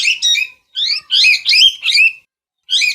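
A parrot gives harsh, chattering squawks in quick bursts of rising and falling notes, six calls in three seconds with short pauses between.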